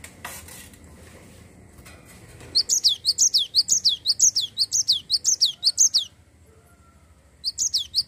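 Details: Cinereous tit singing continuously, played to stimulate other songbirds to sing: a quick run of high, sharp, down-slurred notes, about three per second, then a pause and a restart over a faint low hum.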